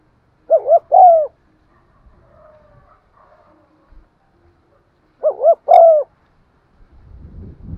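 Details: Spotted dove cooing to stimulate decoy birds: two separated phrases, each a pair of short hoots then a sustained mellow note, with a faint rustle near the end.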